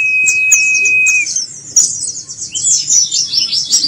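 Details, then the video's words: White-eye delivering "teler gela gelo" style song: a thin steady whistle at the start, then a continuous high, rapid jumble of twittering notes. "gaya teler gela gelo"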